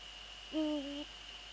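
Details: Eurasian eagle-owl in the Netherlands before dawn, 04:40 on 15 February 2013, male visiting female nearby: a single low harmonic note swelling in and holding level for half a second, with a quiet background hum.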